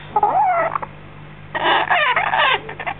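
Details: Six-week-old baby African grey parrot chick chattering just after being fed: a short burst of wavering, slurred notes, a pause, then a louder run of rapid harsh and warbling calls, with a faint low hum underneath.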